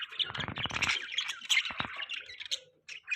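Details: Mating budgies give continuous scratchy, buzzy chatter mixed with sharp chirps and clicks, rapid and unbroken, ending in a few brief chirps.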